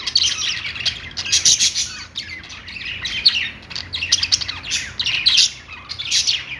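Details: Budgies sing and chatter happily, with rapid squeaky chirps and a few harsher squawks rising in repeated bursts over a steady twittering background.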